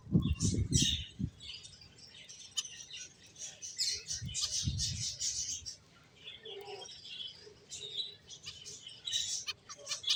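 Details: Several finches keep up rapid high-pitched chirps and twittering notes, dense and irregular, with occasional low thuds and soft fluttering.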